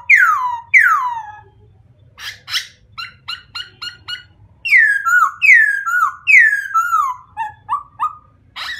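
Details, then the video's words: White-crested laughingthrush giving loud downslurred whistles, a rapid series of short harsh chattering notes, then repeated descending whistled phrases and clipped notes, with low background hum. "Best White-Crested Laughing thrush bird songs"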